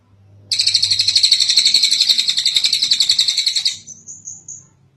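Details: Kingfisher long call used as a master track for training birds: one sustained harsh rattle of about three seconds, a steady run of quick pulses, trailing into a few softer high notes.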